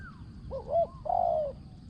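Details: A single clear cooing phrase from a decoy spotted dove prized for its small, ringing voice: two quick, hollow introductory notes, then one smooth, prolonged coo that falls slightly at the end, with quiet background.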